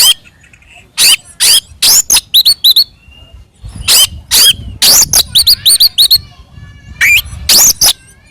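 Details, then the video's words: Oriental magpie-robin delivering an aggressive fighting song to provoke other birds: quick series of sharp upslurred whistles mixed with harsh buzzy notes, in dense bursts after brief pauses. "SUARA BURUNG kacer gacor NGEPLONG TARUNG ini paling AMPUH buat PANCINGAN KACER agar EMOSI NYAUT"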